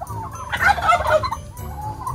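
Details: A domestic turkey raised in the Philippine countryside gobbles in a fast, rattling burst of throaty, bubbling notes lasting about a second, with faint farmyard background noise.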